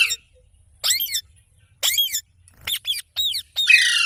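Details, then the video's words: ['Parrot giving short raspy squawks with bending, arched tones, then a quick run of squeaky notes and a closing harsh screech.'] "Funny Parrot Sounds Videos| Mitthu Ki Awaaz| Parrot Ki Awaaz"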